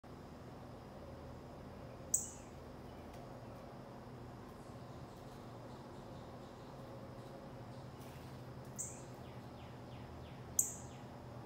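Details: Three sharp, metallic chips from a male northern cardinal, spaced irregularly over several seconds, over a steady low rumble and faint distant bird notes.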